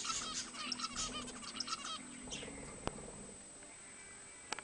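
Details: Zebra finches, likely caged, recorded around 2010: a busy burst of short nasal chirps with stacked tones in the first two seconds, fading to a few sparse calls over steady electrical hum and a sharp click.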